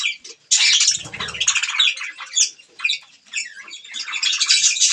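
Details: Budgerigars chirping while eating green food, dense bursts of high chattering warbles and squeaky chirps in uneven runs, with a short low rumble near the start.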